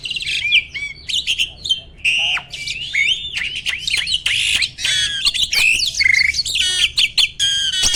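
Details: Mature male Asian pied starling singing while pumping, a sign of readiness for mating: eight seconds of varied, loud song mixing harsh chatters, clicks, whistled upslurs and downslurs, and buzzy squawks with few pauses.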